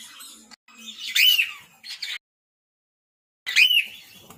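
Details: Male cockatiel calling with raspy, whistled squawks that rise then fall, two close together and another after a short silence.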